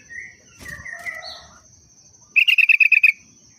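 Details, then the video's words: A sooty-headed bulbul gives the trucuk-style song it sings every day, a quick string of about eight crisp, same-pitched chirps. Softer wavering whistles and two dull knocks come first, over a steady high background tone. "Burung Kutilang √ tapi hariannya Trucuk"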